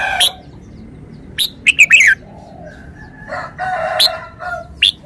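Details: Red-whiskered bulbul song, a quick run of three or four rich, slurred notes dropping in pitch, with further sharp chirps and a rasping burst later, against a faint steady hum.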